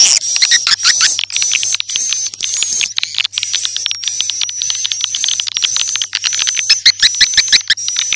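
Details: Edible-nest swiftlets on a lure recording for new swiftlet houses: continuous shrill twittering with a thin, wavering high whistle, and chirps repeated about twice per second.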